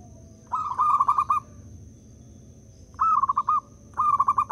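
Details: A local zebra dove sings as a decoy to prompt other doves to call. It gives a rolling, pulsed coo phrase, then silence, then two more quick stuttering phrases close together. A faint constant high whine runs throughout.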